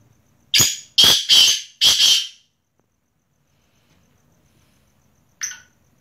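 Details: Black francolin, known locally as kala teetar, giving a loud harsh rasping phrase of four strong notes within about two seconds, a short sharp note then drawn-out grating ones, followed by silence and one brief faint note.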